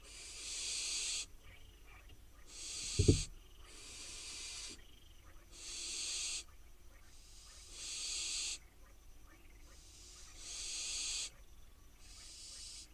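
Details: Wild barn owl fledglings on their nest box in Israel, waiting for food: harsh hissing, snore-like begging bursts about a second long, repeated roughly every two seconds, with one brief low thump midway.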